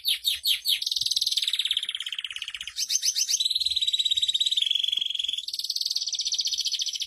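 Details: Canary masteran song for tutoring young canaries: quick high chirps give way to sustained rolling trills at shifting pitches, one flat, steady, tremolo-like passage, then rapid notes again.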